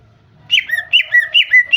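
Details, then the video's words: Female greater green leafbird (cucak ijo) calling to lure a male into singing: after a quiet start, a quick run of six bright, downward-slurred chirps, each dipping from a higher note to a lower one, about three per second. "Terapi cucak ijo agar bunyi"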